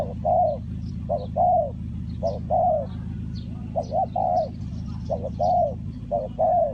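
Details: Spotted dove calling in Ninh Thuận, Vietnam, in a bird-trapping setting. Rhythmic paired coos, one short and one drawn out and falling, recur roughly every second against a low rumble and scattered thin chirps.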